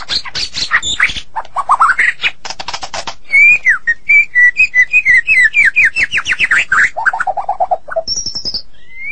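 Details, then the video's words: White-rumped shama of the Medan type, in full, constant song: harsh rasping bursts, then a rising whistle and a quick run of bright repeated whistled notes, sliding lower phrases, and a thin high whistle near the end. "Murai Batu Medan Super Gacor"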